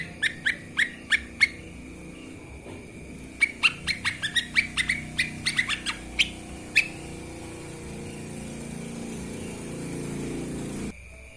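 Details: Master recording for training birds of a lesser green leafbird: a handful of sharp chips, then a long rapid series of crisp flicked notes, fading to a steady high hum with low background noise.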